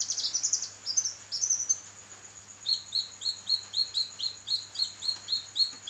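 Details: Kinoi in full song for songbird training: a quick high twittering burst, then a steady series of short, clipped chirps about four per second, with a continuous thin whine and low electrical hum.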